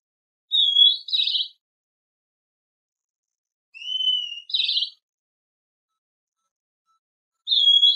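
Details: Great kiskadee giving three short, high two-part calls, each a clear whistled note followed by a harsher buzzy burst, spaced several seconds apart against a silent background.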